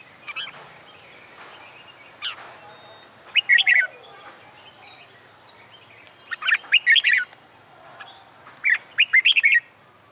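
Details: Red-whiskered bulbul singing for song-contest training, on a hot summer day: short bursts of bright, warbling chirped phrases around mid-to-high pitch, separated by pauses of one to two seconds, with fainter clicks between.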